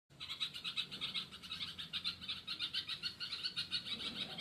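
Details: Mother bulbul searching for her chick, giving fast, even chirping notes repeated several times a second in a steady pulsing series that runs without pause through the whole stretch.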